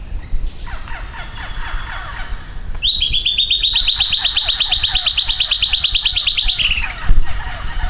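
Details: Silvered antbird (Sclateria naevia) singing one long, fast, even trill of sharp repeated notes that rises slowly in pitch over nearly four seconds, then drops off at the end. Fainter bird notes come before it.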